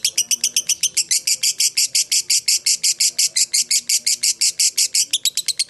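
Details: Lovebird, fighter type, chattering a long ngekek meant to draw replies from other lovebirds: roughly thirty-five loud, harsh, closely spaced notes in a steady rattle, quickening slightly at the close.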